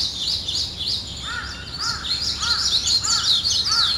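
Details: In the morning, many small birds make a high chattering chorus. Under it, another bird gives a row of lower, arched calls about every half second.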